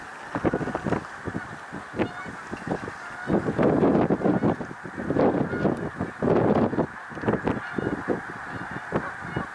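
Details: A huge snow goose gathering at Middle Creek Wildlife Refuge, Pennsylvania, on 1 March 2021 gives loud, continuous honking, waves of overlapping calls building and easing over nearly ten seconds.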